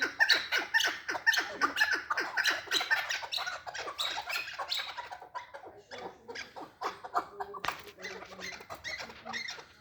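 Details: Chukar partridge giving rapid repeated clucking notes, roughly two per second, strong at first, then thinning into sparser, softer chuks with one sharp click.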